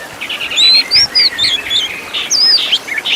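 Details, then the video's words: Oriental magpie-robin master recording for caged birds: short bursts of chattering notes alternating with bright, thin, upslurred whistles, a few loud phrases separated by short gaps. "MASTERAN KACER ISIAN MEWAH BIKIN GACOR"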